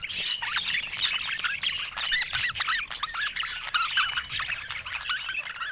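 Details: Lively budgerigar chatter: quick curling chirps and squeaks packed tightly together in an unbroken twittering stream, with a clean, quiet background.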